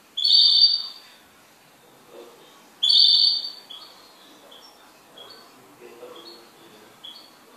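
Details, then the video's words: A pet goldfinch gives two loud, high, buzzy trills about two and a half seconds apart, then softer scattered tinkling notes in a quiet room. "MI JILGUERO"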